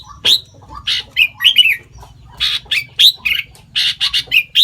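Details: Sooty-headed bulbul imitating other bird species, giving irregular loud squawky chirps and slurred notes with short gaps, over a faint low hum.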